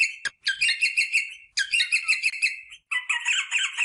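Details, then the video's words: Rosella vocalising to prompt mating: rapid, rattling chatter phrases about a second long, each with a rich metallic ring, broken by short silences, ending in a busier, overlapping burst. "صوت طائر الروزيلا للتحفيز على التزاوج │The sound of the rosella bird to stimulate mating"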